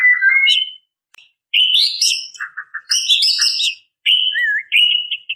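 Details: White-rumped shama female calling males, used as a lure: bursts of mixed whistles and chirps, a few low stuttering notes, then a wavering whistled phrase, with short silent gaps.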